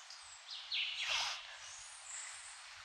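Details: A Red-legged Thrush of the Puerto Rico subspecies gives one brief, harsh, down-slurred call about a second long, set against steady high-pitched background hiss.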